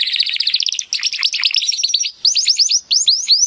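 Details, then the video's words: Timbrado canary song used as training audio to improve canaries' singing: dense, high, rolling trills and rapid chattering phrases, then a series of clear, upward-sweeping whistled notes repeated in quick succession. "AUDIO mas PODEROSO de TIMBRADO para el ENTRENAMIENTO"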